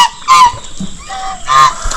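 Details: Domestic geese in a park in Malda screaming, possibly at the person filming, with two loud, harsh, nasal honks about a second apart, each brief and brassy, over a faint low murmur.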